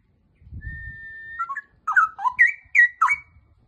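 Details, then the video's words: Straw-headed bulbul song opening with a long, steady whistled note lasting about a second, then breaking into rapid gurgling, warbled notes that rise and fall; brief low rumble at the start. "Suara Burung Cucak Rowo"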